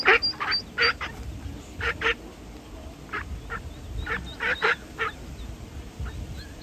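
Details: Pond duck with ducklings: rough quacks in short groups over a constant hiss, thin high peeping notes scattered throughout.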